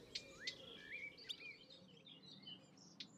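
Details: European goldfinch at Fobney Nature Reserve, Reading, Berkshire, UK, in early summer, giving quick tinkling twitters and liquid rising notes with sharp high clicks scattered through, over a faint background hum.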